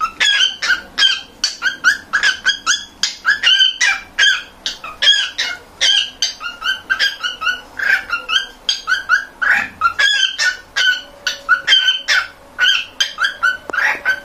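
A male cockatiel sings a rapid, chattering run of bright whistled and squeaky notes.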